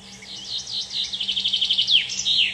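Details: Common chaffinch singing on the Curonian Spit, Kaliningrad: one bright, quick phrase of a few high notes, then a rapid descending run of about ten chips ending in a short flourish.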